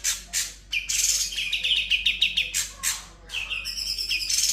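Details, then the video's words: Sooty-headed bulbul in continuous ngebren song with konin, kapas tembak and kunti fills: quick stuttering chirp series alternating with loud harsh scratchy bursts and a few high thin notes. "Cucak Cungkok Full Ngebren Isian Konin Kapas Tembak Kunti"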